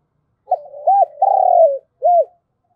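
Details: Decoy spotted dove calling wild doves in the morning: one full phrase of a short coo, an arched coo, a long vibrating slurred note falling at the end, and a final rounded coo, in a quiet setting.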